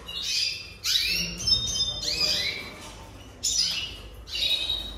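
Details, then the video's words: A jasper canary sings in rapid bursts: high, sweeping downward notes and brief steady whistles, with short pauses between phrases over a low background hum. "Chant Canari Jaspe"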